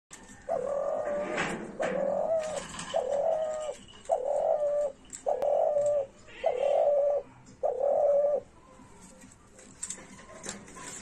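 A spotted dove gives a run of about seven soft, hollow coos, each under a second and spaced about a second apart, over a light background hiss.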